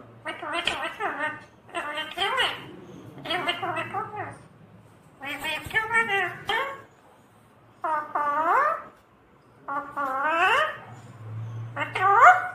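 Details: Pet talking parrot chattering in a string of speech-like harmonic bursts, some rising and some falling, repeated about every second, with a low hum underneath.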